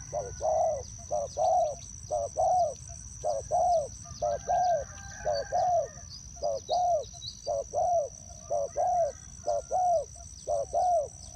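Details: Spotted dove acting as a trap decoy, cooing steadily in a long run of rounded, slightly downslurred notes at about one per second, with a persistent thin high whine and faint ticking in the background.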